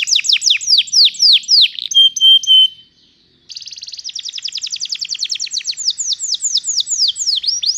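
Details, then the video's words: Canary song for teaching young canaries, a long roll: fast descending sweeps, short flat whistles, a brief pause, then an extended buzzy trill turning into quick repeated falling notes. "GAcoR NgerollL Panjang, Pancingan untuk kenari Paud Belajar bunyi"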